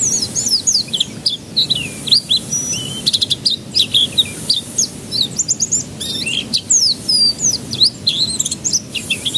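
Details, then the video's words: Canary singing as a lure for young birds to start their song: continuous high, twittering phrases of fast chirps, looping whistles and short trills, steady and lively throughout. "Pancingan Kenari Paud Agar Cepat Pecah Suaranya"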